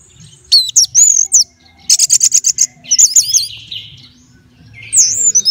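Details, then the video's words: Caged orange-headed thrush, a contest bird readied for hanging at a songbird gathering, sings bright high whistled phrases with rapid wavering slurs and a burst of quick buzzy repeated notes, separated by short pauses; faint low background murmur. "Kalau Sudah TELER Begini Anis Merahnya"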